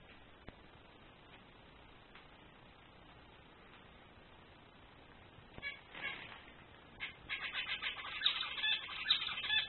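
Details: Male zebra finch singing: after a quiet start, a dense run of buzzy, nasal stacked notes builds over the last three seconds, with quick repeated syllables and no other clear sounds.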